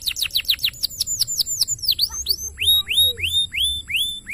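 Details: Canary master song: rapid repeated downward whistles slowing into deep swoops, then a series of bright rising whistles about two per second; soft low background hum.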